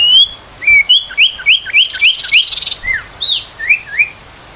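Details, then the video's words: Ashy tailorbird in rapid 'tembakan' song, used as a tutor for magpie-robins and to lure young wild tailorbirds. A series of sharp, upslurred whistled notes repeats almost twice a second, followed by a few lower downslurred whistles. "Suara tembakan sirtu"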